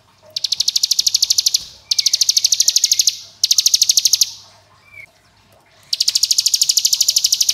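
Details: Hill prinia, known as ciblek gunung, singing its long-lasting ngebren, AK47-style song: four loud bursts of dense, rapid, buzzy pulses, each about one and a half seconds, with brief pauses and a soft short whistle between them.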